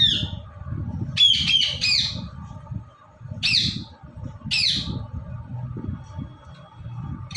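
An Indian ringneck parrot gives a quick burst of three harsh, rasping squawks, then two more single screeches a second apart, over a low indoor rumble.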